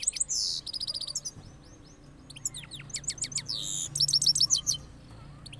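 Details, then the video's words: A cross goldfinch, recorded after moulting, sings rapid high twitters and buzzy trills in short bursts separated by softer gaps, over a faint low hum. "Cross Gold Finch Part 3 After Moulting Rolling Songs"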